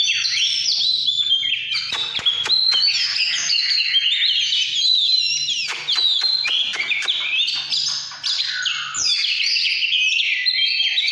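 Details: Oriental magpie-robin delivering căn lửa song: a long, dense jumble of varied whistles, warbles and scratchy notes, with sharp clicks scattered throughout and hardly a pause.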